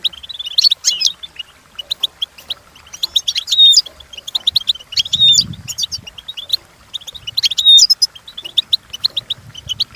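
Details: European goldfinch training song: quick liquid twitters and chirps, broken by loud sweeping, slurred whistles about every two seconds, with a soft low rumble underneath midway.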